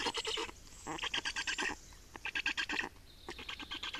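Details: Black storks at a nest in Estonia during nest change and feeding, 28 May 2019 at 8:13; harsh, bleating bursts of rapid pulses in short series, pausing between runs, with a faint high hiss behind.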